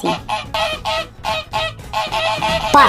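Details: Duck quacking in a run of harsh, nasal, honking calls, about seven bursts repeated roughly every half second, the last ones louder and overlapping.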